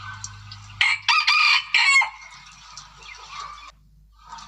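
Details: Chicken lure call: a harsh, broken crow in several loud bursts over about a second, followed by quieter trailing notes and a low background hum.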